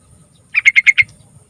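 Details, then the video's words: A yellow-vented bulbul song phrase played to draw song from young trucukan: five rapid, rounded chirps of even loudness delivered in about half a second, with faint low rumble behind. "Suara Burung TRUCUKAN Spesial Gacor Panjang Buat Pancingan Trucukan Muda"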